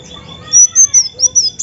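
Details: Female olive-backed sunbird call: five piercing high whistled notes, each slightly arched, evenly spaced about a fifth of a second apart, over a faint steady hum.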